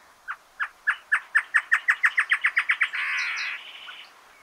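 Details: Giant Antshrike in Argentina: a series of loud, hollow, mid-pitched notes that start spaced and quickly speed up and crowd together, ending in a harsh, rasping churr.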